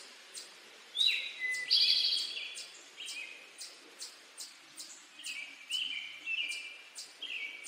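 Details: A male Eastern towhee gives its "drink your tea" song, a sharp high note and a lower one followed by a ringing buzzy trill. Steady ticking clicks repeat about twice a second throughout, with fainter song fragments later.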